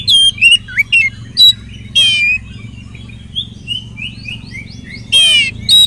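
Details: Oriental magpie-robin; song; used as a lure to make other magpie-robins sing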